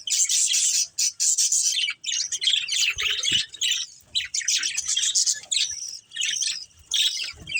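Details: Breeding pair of pet budgerigars chirping: dense, scratchy warbled chatter in rapid bursts with short pauses between phrases, high and continuous.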